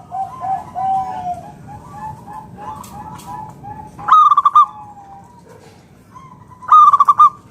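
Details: Local Zebra Dove song meant to draw other doves into singing: softer overlapping coos from several doves, then two loud rapid-fire bursts of staccato cooing near the end.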